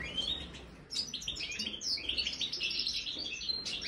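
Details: European goldfinch of the major form, kept in an aviary and trying a marigold snack, sings a bright, rapid twittering of high tinkling notes and buzzy trills that runs almost without pause.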